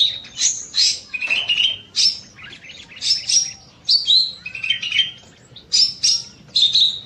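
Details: Cucak mini, a small bulbul kept in an aviary, sings at length in the evening: lively whistled phrases, some rising and some dropping, about seventy bursts a minute at an uneven pace.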